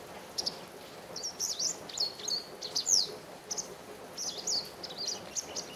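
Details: Japanese wagtail in a garden, calling shrilly and persistently for a long time: sharp high chirps in quick irregular series, over steady background noise.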